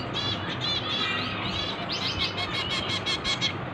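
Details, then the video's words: Finch chicks being hand-fed give rapid, high, thin begging chirps in a dense run, each note briefly sweeping, the series speeding into a steady burst of evenly spaced cheeps in the second half. "Feeding Finch baby"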